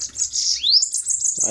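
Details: Bananaquits in a heated song duel: a thin high buzzy trill followed by one quick rising upslurred whistle, with a man talking at the start.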